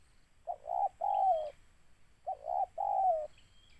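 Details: Spotted dove, target of bird luring, giving two phrases of a short gruff coo followed by a longer falling coo, a second of quiet between them and a faint thin whistle in the distance.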